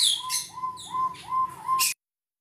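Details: A crested partridge (forest quail) in an aviary gives five soft, mellow whistles, each sliding upward, about one every 0.4 seconds, a call it uses loudly to seek its mate when not nearby, while other small birds chirp thinly above.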